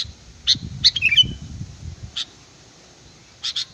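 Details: Sooty-headed bulbul sound used as a lure, lively and chatty: short sharp chirping notes, a quick cluster of squeaky bursts near the start, then isolated chirps and a final double note, over low rumbling background noise.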